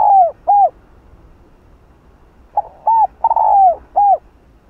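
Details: Spotted dove voice used to provoke wild doves: two curved hollow coos, a quiet gap of nearly two seconds, then a phrase of brief notes, a drawn-out coo and a closing hooked coo.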